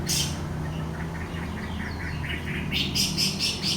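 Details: Orange-headed thrush recording played to prompt teler singing: a sharp opening burst, softer mid-pitched warbled notes, then a rapid series of loud harsh bursts, with a noticeable low rumble.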